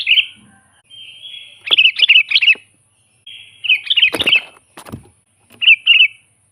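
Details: Sooty-headed bulbul song used as a lure for trapping wild bulbuls: short bubbly phrases of quick, warbled liquid notes, each opening with a brief steady tone and separated by pauses, with a few sharp clicks and thumps between.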